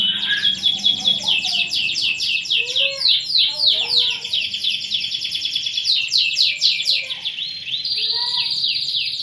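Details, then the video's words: Vigorously singing canary pours out a continuous high, rapid song of quick trills and falling sweeps, one rolling phrase after another without pause, with a steadier buzzy trill toward the close and soft lower chirps beneath. "kicau kenari gacor istimewa"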